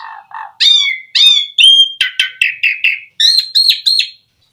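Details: Asian pied starling song played to draw other starlings into singing: low nasal notes, then repeated falling whistled slurs and rough chattering phrases, closing with three bright, ringing notes.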